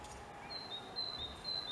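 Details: A great tit sings clear, high whistled notes in a seesawing high-low pair, repeated quickly over a quiet background; a garden and woodland bird that nests in holes.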